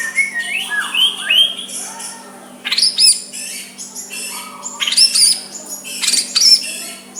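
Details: Soft white-rumped shama song used to rouse a rival to answer: loud bursts of sharp whistles and chips separated by brief pauses, mixing low slurred notes with very high squeaky accents, over a constant low hum.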